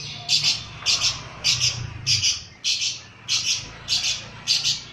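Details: Lovebird agitated by a lure recording, repeating loud, harsh, high double-noted squawks at a steady pace of nearly two per second, over a low background hum.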